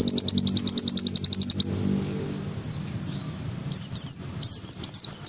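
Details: Oriental white-eye master song in the tembakan style, for training: a rapid burst of high, evenly spaced chips for under two seconds, a short pause, then sharp twittering whistled phrases with quick slurred notes.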